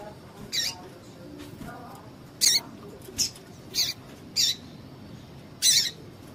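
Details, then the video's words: A female double-collared seedeater gives calls meant to excite males kept for singing contests. About seven short, piercing high chips come at uneven intervals, two faint ones first, then louder ones. "PIADO DE FÊMEA DE PAPA CAPIM PARA DEIXAR SEU PAPA-CAPIM DOIDO"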